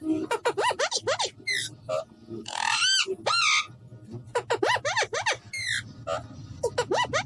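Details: A young Alexandrine parakeet mimics speech ("miyan mithu") in quick, harsh, raspy phrases broken by sharp whistled squawks, with a low hum of room noise behind.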